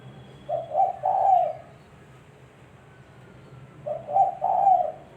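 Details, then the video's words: Spotted dove call used as a lure for trapping: two soft, low cooing phrases, each a short rising note then a longer rolling coo, about three seconds apart, over a faint low background hum. "Suara Burung Tekukur-Suara Tekukur Buat Pancingan Mikat"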